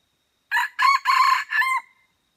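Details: Red junglefowl from Aceh, at Mata Ie, recorded during a decoy-luring session: a loud, hoarse crow of four quick, harsh segments over about one and a half seconds, the last one trailing off into a thin tone, against a silent background.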